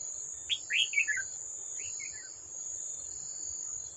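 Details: Red-whiskered bulbul, wild and old, fighting a decoy bird at a trap on 18 July 2024. It sings a loud, tumbling phrase of clear descending whistles, followed by a softer, slurred echo of notes. A continuous shrill insect tone is heard behind it.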